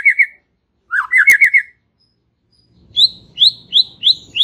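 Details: White-rumped shama chatter used to train young birds to sing: brief buzzy rattling phrases with a sharp click, silence, then a series of spaced high slurred whistles about three per second.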